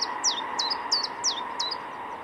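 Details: About six high, clipped, downward-sweeping notes from a singing Common chiffchaff, evenly repeated roughly every third of a second over a continuous droning hum.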